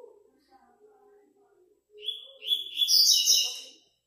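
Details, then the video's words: Double-collared seedeater entered in the fifth stage of an online singing tournament. Soft low murmurs come first, then a loud burst of rapid, bright, buzzy twittering notes climbs in intensity over nearly two seconds. "TORNEIO VÍDEO WEB COLEIRO ON-LINE"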